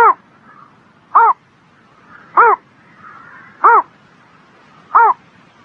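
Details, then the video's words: A bird on a spring morning sings five brief, harsh, arched notes at an even rhythm of about one every 1.25 seconds, with faint chatter of other birds between them. "Singing Bird in the Spring Morning"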